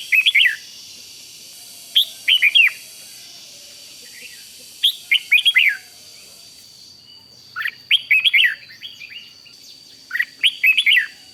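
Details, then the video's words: Red-whiskered bulbul, Thailand, singing rik style to stir up other birds: tight bursts of three to five bright, sharply slurred chirps every two to three seconds over a steady faint hiss. "เสียงนกกรงหัวจุก ร้อง ริก ยั้วให้นกคึกดีมาก"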